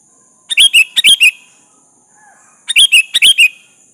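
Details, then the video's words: Kutilang, the sooty-headed bulbul, in lively lure song meant to make a rival answer: two quick phrases of about five liquid, chirping notes each, separated by a two-second gap, with a constant thin high hiss behind. "Suara burung kutilang gacor memanggil lawan pancingan kutilang agar nyaut"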